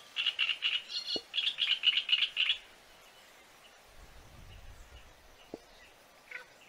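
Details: Great reed warbler (Acrocephalus arundinaceus) song, said to be the best for attracting birds: harsh, grating, frog-like notes, about four a second for over two seconds, then quiet with a couple of sharp clicks and a low rumble.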